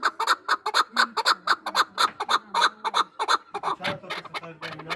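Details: Hunting chukar partridges from Norak, two years old, giving rapid repeated clucking notes, irregular but continuous, about two per second, with lower drawn-out tones beneath toward the end.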